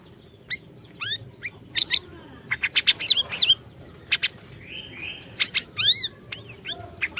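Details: Orange-bellied leafbird singing hard, used to coax a silent bird into song: varied upslurred whistles, sharp chips and a short buzzy trill, delivered in quick irregular bursts for several seconds.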